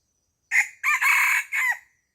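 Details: A farm chicken crowing: a short sharp opening note, then a long strained, raspy middle phrase and a falling final syllable, three-part pattern lasting about one and a half seconds against a quiet background.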